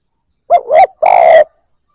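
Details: Newly caught spotted dove beginning to coo: two short mellow hoots run together, a brief gap, then a sustained throaty coo of about half a second. No other sounds.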